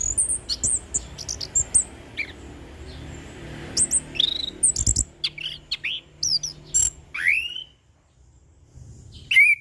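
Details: Anis kembang, or orange-headed thrush, singing relaxed ngeplong for tutoring: a busy series of high, thin chirps and short whistled slurs, some falling steeply, with a quiet gap near the end before a final rising whistle.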